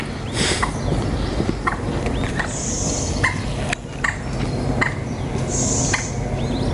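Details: Moorhen chicks at Fleet Pond, 10 July 2019, being fed: brief sharp peeps every second or so against a constant low background rumble, with two soft hissing bursts.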